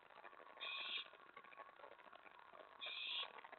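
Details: Owl heard at a nest during nocturnal prey deliveries of a mouse and a rat, May 2017. Two drawn-out noisy hisses, each under half a second, are separated by about two seconds of low rustling.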